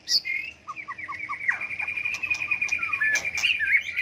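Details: White-rumped shama with a varied, constantly shifting song used to incite song contests: a string of short low whistles, then a long sustained buzzy trill with sharp notes over it.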